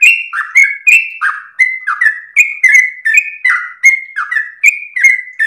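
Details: Energetic ropel singing from a sooty-headed bulbul, a long-breathed song kept for tutoring and luring partly trained birds: rapid back-to-back fluty notes swooping up and down, very regular and clean, nothing else audible.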